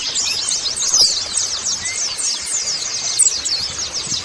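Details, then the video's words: Colony of white-eyes used as lure audio to prompt caged birds to sing: dense, continuous high thin twittering from many overlapping birds, with rapid slurred notes and a faint steady whistle-like tone underneath. "pancingan pleci agar buka paruh"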